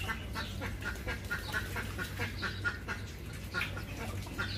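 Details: Ducks giving short, nasal, quack-like calls, repeated about once a second in an uneven rhythm, over a steady low hum with faint high chirps from small birds in the background.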